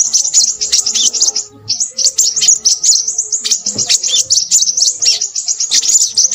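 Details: Crimson sunbird in lively chattering song, with quick high twitters in two bursts around a short break, thin, sibilant and densely packed.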